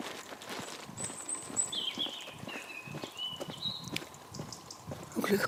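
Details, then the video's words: Blackbird song in pre-dawn darkness, Midhurst, West Sussex, around 6:45 am: a sequence of clear fluted whistled phrases at slightly shifting pitches, delivered over about two seconds, with a faint thin high note before and walking footsteps throughout. "Svartþrestir syngja í nóttinni"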